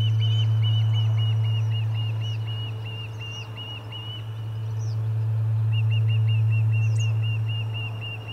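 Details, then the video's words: Osprey calling at the Charlo nest, 30 July 2020, in the commotion of a fish delivery: two rapid, regular bouts of sharp whistled chirps, about three per second, separated by a short pause, with a constant low hum beneath. "Lots of Commotion and a Fish Delivery - Charlo Osprey Nest"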